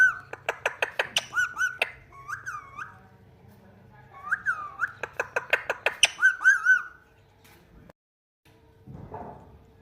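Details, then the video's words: Talking Indian ringneck parrot: bursts of rapid clicking mixed with short curled whistles, a pause, another run of clicks and whistles, then quiet with a faint low hum in the room. "Bolne Wala Tota | Parrot Talking Mummy"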